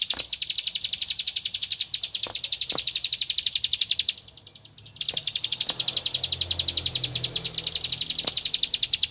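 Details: Bar-winged prinia, known as ciblek padi, singing hard to seek out a rival: sustained rapid strings of piercing high notes, pausing briefly near the middle before continuing, with a few sharp clicks and faint low background rumble.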